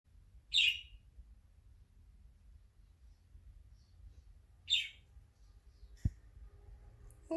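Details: A happy, relaxed pet budgerigar stretching and vocalizing, giving two short, scratchy chirps several seconds apart.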